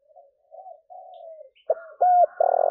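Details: Spotted dove cooing, used to lure wild doves and make them coo: soft low hollow coos, then a louder, sharper set of notes ending in a sustained buzzy tone.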